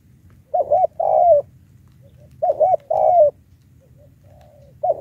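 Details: Lure call of a spotted dove for trapping wild birds: low, soft coos in a repeated phrase, a quick two-part note then a longer sliding coo, about every two seconds, with faint soft notes between.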